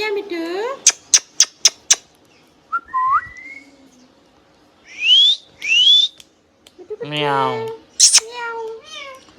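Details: Tame pet green rose-ringed parakeet mimicking words and sounds; quick sharp clicks, a few clear rising whistles, then a buzzy harmonic phrase and warbled speech-like notes, mostly quiet between bursts.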